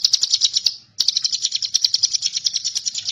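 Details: Ciblek gunung, the bar-winged prinia, kept as a tutor song for magpie-robins: rapid high-pitched pulsed trills in two bursts separated by a brief pause, each note short and sharply repeated.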